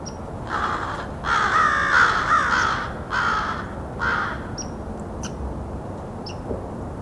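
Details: American Crows recorded at close range in a small white spruce grove during a winter Christmas Bird Count, quieter sounds that do not carry far; a few harsh, broad caws in a cluster, with thin high chips from small birds around them.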